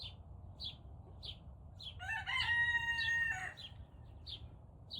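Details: Young Turken rooster just learning to crow at about 5 am: one strained, flat, squeaky crow lasting about a second and a half, like a dying chicken toy, over steady high chirps repeating about twice a second.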